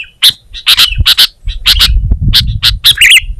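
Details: Sooty-headed bulbul singing in a lively, chattering way: sharp, squeaky chirps in clusters of one to three, some doubled, with a higher twisting flourish near the end, over a low rumbling background.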